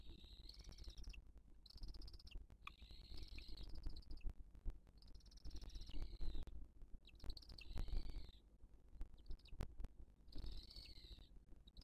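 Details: Booted eagle at its nest in 2023, with a chick, while other birds attack the female, giving thin, high, slightly wavering calls in short bursts every second or two over steady wind rumble.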